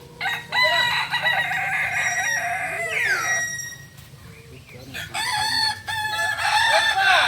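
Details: Kokok Balenggek roosters from Solok, West Sumatra, crowing at a practice session: long harmonic crowing with a downward slide, a pause, then another overlapping crow, with background voices and a steady low hum.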